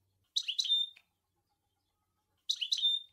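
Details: Two short bursts of European goldfinch twittering in the Sour El Gouzlane style, each a pair of quick sharp notes followed by a thin whistled tone, separated by silence.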